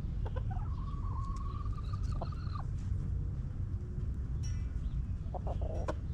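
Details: Backyard chickens in a coop: a rooster gives a drawn-out, level crow that steps slightly upward and breaks off abruptly, with a few short clucks later, over a constant deep rumbling background.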